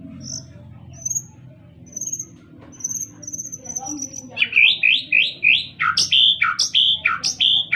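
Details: White-rumped shama singing: faint, thin high notes at first, then a loud run of sharp, down-slurred whistled notes repeated rapidly, about three per second, over a low background hum.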